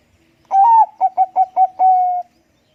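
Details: Bangkok-type zebra dove in full song with a loud, big voice. A long, slightly falling coo is followed by four short clipped notes and a final long steady coo, all in under two seconds, with a clean, quiet background.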